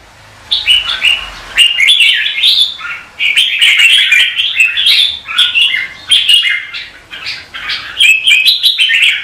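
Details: Morning competitive song of a red-whiskered bulbul, rich warbling phrases repeated in lively bursts roughly every second or two, clear and loud throughout with brief pauses between runs.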